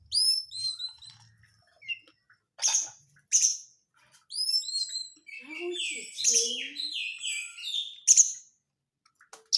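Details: Oriental magpie-robin crecetan lure: short curved whistles and harsh rasping bursts, then a fast run of descending buzzy notes and chatter, with brief quieter twitters in between.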